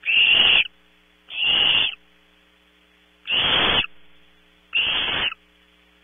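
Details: Around 3 am at Audubon Starr Ranch, California, Barn owl owlets compete for prey while one looks for scraps: four harsh, sibilant screeches of about half a second, irregularly spaced, with low hum between.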